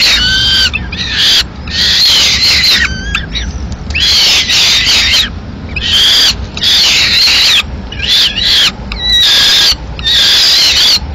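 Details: At a Madrid peregrine falcon nest in May 2016, with the male delivering a live swift, loud grating wails come in long bursts of a second or more, broken by short pauses.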